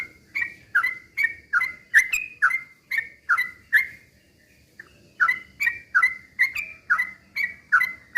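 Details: Fast chattering song of a sooty-headed bulbul, meant to goad other birds into singing: steady series of short slurred whistles about twice a second, broken by a half-second gap, then resuming at the same pace.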